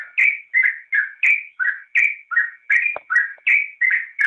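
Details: Training track of a yellow-vented bulbul singing gacor: rhythmic, bubbling whistles in pairs of high and lower notes, repeated at a fast, fairly regular tempo.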